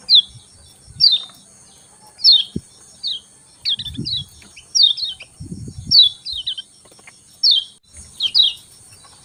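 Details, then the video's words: Single thin, downslurred chirps from a lemon-bellied white-eye in the morning, 'ciak ciak', repeated roughly every half second to a second, sometimes paired, with occasional soft low thumps. "Ciak Ciak Joss Kecial Kuning Pagi Hari Bikin Kecial Kuning Malas Bunyi Cepat"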